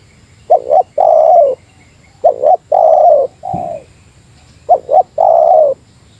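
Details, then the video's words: Lure spotted dove, Meratus style, answering a rival: soft low double notes each leading into a long, smooth, gently descending coo, phrases spaced over two seconds apart, one extra lone coo mid-clip. "Suara Burung Tekukur Meratus Lawan 3 detik Lawan Turun Dari Paparan"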